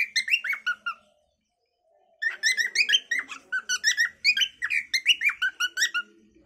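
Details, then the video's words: Cockatiel natural calling: one short burst of harmonic chirps, a silent gap of about a second, then a longer run of rapid bending whistled notes. "Funny cockatail bird 🐦🕊️ natural calling song by cocktail"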